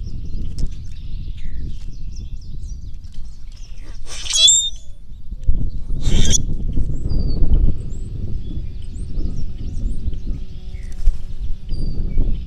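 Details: Common Grackles puffing themselves up as they screech: two brief, harsh, squeaky screeches about two seconds apart, rising and grating, over a steady low rumble of wind and faint chirps from other birds.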